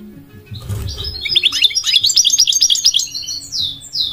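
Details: Goldfinch song starting after a brief rustle, then a quick run of chirpy, twittering notes rising and falling, ending with a few drawn-out slurred whistles.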